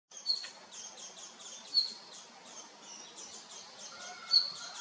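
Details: Male red-flanked bluetail giving three short, high, sharp notes about a second and a half apart, with faint twittering of other small birds behind.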